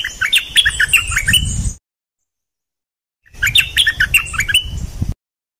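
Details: Decoy bulbul, one of three birds, in two bursts of rapid bubbling chirps with rising and falling notes, separated by a silent gap, over low background rumble.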